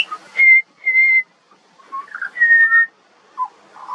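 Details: Pure, level whistles from a juvenile pied butcherbird in Australia: two long steady notes, a pause, then a sustained slightly falling whistle and softer lower notes trailing off.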